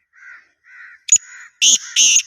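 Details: Black francolin voice: soft, short whistled notes, then a sharp click and two loud, rasping, grating bursts close together.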